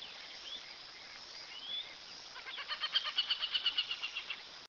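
An Aplomado Falcon gives a rapid, high, harsh chattering series of about a dozen sharp notes, while thin whistles from other birds and steady background hiss run beneath.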